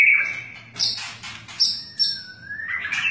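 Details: White-rumped shama of the long-tailed type, flicking its tail, sings a sweet drawn-out whistle that dips and then rises, mixed with high thin notes and rapid clicking bursts.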